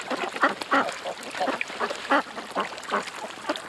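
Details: Ducks at a creek quack in separate loud nasal bursts, roughly two each second and irregularly spaced, with softer calls from other ducks behind them.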